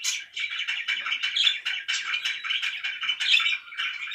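Budgerigars chatter in a dense, continuous stream of scratchy, warbling chirps, high-pitched and busy with rapid short notes overlapping throughout, likely several birds together.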